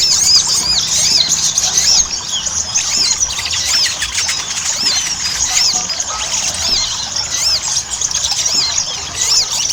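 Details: Ruby-cheeked sunbird lure song; shrill, arched squeaky notes repeat quickly within a thick, steady high twitter, with no other clear sounds.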